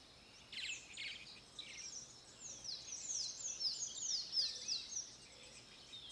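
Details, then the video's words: Near the RPPN das Araucárias Gigantes in Itaiópolis, Santa Catarina, Brazil, a grey-breasted martin gives a lively twittering song. A few rough chirps open into a rapid run of high, sliding, gurgling notes, several per second, then fade. "Canto da Andorinha-doméstica-grande - Progne chalybea - Grey-breasted Martin"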